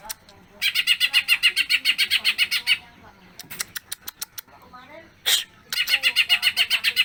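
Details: Greater green leafbird in full, lively song with mimicked fills, long-duration: rapid buzzy note trains pouring out in two bursts, broken by scattered clicks, soft twittering and a brief loud chip in between.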